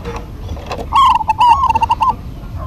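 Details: A single phrase from a local zebra dove duet: a rapid, rolling string of soft, bubbling coo notes lasting about a second, after faint scattered chirps and over low background rumble.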